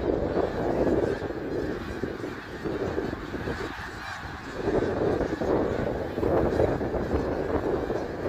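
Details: Middle Creek Wildlife Area, 3 March 2022: a snow goose flock honks in a dense overlapping chorus, with a brief lull near the fourth second before the clamour builds again.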